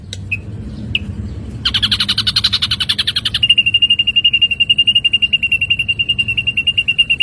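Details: Ashy drongo on songbird training audio: two short high notes, a harsh buzzy burst, then a long even trill of high, sharp whistled pulses repeated about four per second, with low background hum.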